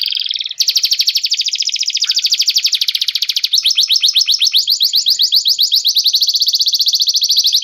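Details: Canary song serving as a clear master recording for white-rumped shamas: a brief opening note, then a continuous fast buzzy trill for about seven seconds, its beat shifting slightly in speed partway through.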